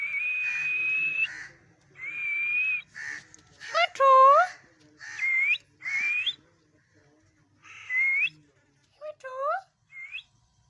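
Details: Talking parrot in a long run of sounds: steady and upward-sweeping whistles mixed with a loud, harsh, voice-like phrase and several short rising notes near the end, with brief pauses between.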